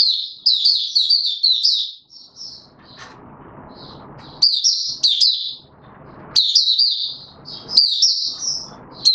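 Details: White-eye male pushed toward competition form, 31 December 2021: quick, high, chattering warble phrases in irregular bursts, interspersed with quiet noisy spells.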